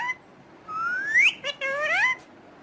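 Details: A rising drawn-out whistle from a talking parrot, then a brief click and a second upward-gliding speech-like phrase, with quiet pauses on either side.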